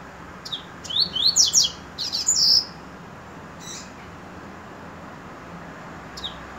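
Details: Double-collared seedeater (coleiro) delivering a fast series of sharp, high whistled sweeps in two bursts over about two seconds, then a few faint isolated notes, with low background hiss.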